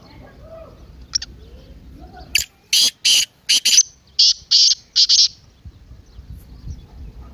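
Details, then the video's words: Partridge call played to excite a silent bird into calling: a run of loud, harsh, broadband rasping bursts, several closely spaced, then three longer grating notes, over faint background chirps from small birds. "تیتر کی مستی والی آواز:اب خاموش تیتر بھی بولے گا"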